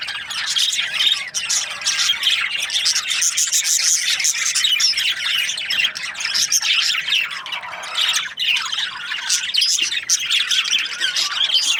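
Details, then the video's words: Many budgerigars from breeding pairs chirp together in a continuous, dense chorus of high, squawky chattering with almost no pauses. "Budgies parrot chirping sounds | breeding pairs"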